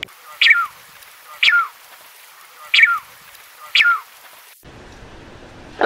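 A Falkland steamer duck gives four sharp, descending whistled calls about a second apart, then one more call rings out over a hissy background.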